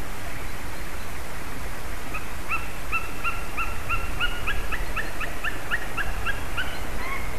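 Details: White-tailed eagle calling at its nest on 14 February 2019 at 07:40, caught by a live nest camera: a long run of faint, evenly spaced yelping notes with clear overtones, over a steady low rumble of wind.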